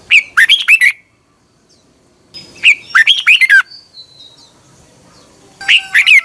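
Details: Red-whiskered bulbul morning song from 2021, meant for training birds: three punchy phrases of fast, fluty slurred notes, each about a second long, with a few faint high whistles between them.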